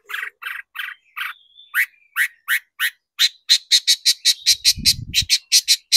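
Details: Long-tailed shrike song as a lure to make shrikes sing. Buzzy grating notes lead into evenly spaced sharp calls that quicken into a fast harsh series, with a brief low rumble.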